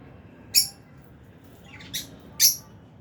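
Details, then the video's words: Lovebirds, albino and Fisher's, kept in an aviary while eating: three piercing high chirps spaced under a second apart, the middle one softer and slightly lower, with quiet hum behind. "Lovebirds Chirping Sounds"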